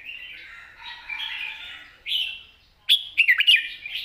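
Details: Red-whiskered bulbul, long song delivered softly in a wild style with song and chatter: a drawn-out wavering whistle, then a short rising phrase, followed after a pause by a quick string of sharp, tumbling notes.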